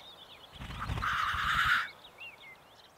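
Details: A displaying (lekking) black grouse on a foggy mountain ridge among dwarf pine, after rain, gives one harsh, breathy hiss lasting just over a second, while small birds chirp thinly in the background.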